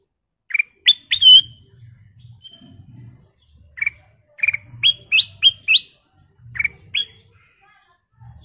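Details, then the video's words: Sooty-headed bulbul in full repertoire, used as a lure: clusters of crisp whistled notes in repeated phrases, some rising upward, with gaps between them and a soft low rumble behind. "Suara Paling Cakap Burung Kutilang Emas full isian"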